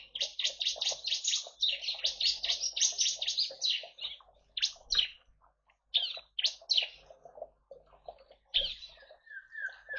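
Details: Bar-winged prinia singing the rapid 'tembakan' style in a colony aviary in East Kalimantan, Indonesia, shared with white-eyes and finches: a dense run of sharp, high chirps for about four seconds, then scattered bursts and a faint falling whistle.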